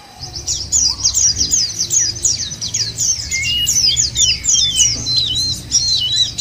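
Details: White-eye song played as a lure so kept birds start singing: rapid, thin, high chatter with looping, slurred notes building after a quiet start, and a soft low drone in the background.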